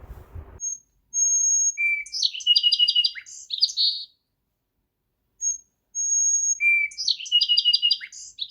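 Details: A Song Sparrow in the Ottawa area sings twice: a few clear, high introductory notes, then a tumbling run of buzzy trills and chips. A brief low rumble comes first.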